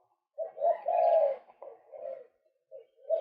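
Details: A male white-breasted waterhen, recorded as a lure, gives a long, strong, rasping croak followed by softer broken notes and a last short call rising in volume.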